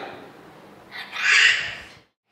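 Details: Parrot at an aviary in Mysore, India, chanting a holy name (Namah Shivaya) along with its keeper, imitates a short phrase in a raspy, high-pitched voice lasting about a second, after soft background hiss.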